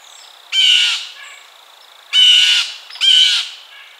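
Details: Blue jay giving three loud, harsh, raspy calls, each about half a second long, with short gaps between them.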